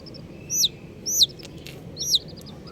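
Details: Three loud, clear chick peeps, each a high whistle sliding downward, spaced about three quarters of a second apart, with a faint soft rustle between them.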